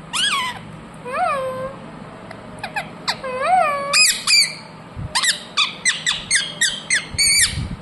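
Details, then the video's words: Pet ringneck parrot uttering soft arched whistles first, then breaking into a fast series of loud, piercing squawks repeated roughly twice per second. "Ringneck parrot Naturals Sound"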